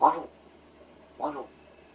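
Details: Rescued captive large-billed crow practising its voice indoors while its owner pretends to sleep: two short, harsh, nasal caws about a second apart, separated by quiet room hum.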